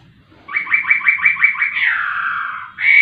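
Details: Laughingthrush singing energetically: a run of seven rising whistled notes at a steady quick pace, a long falling slur, then a sudden loud, harsh note at the end. The background is otherwise quiet.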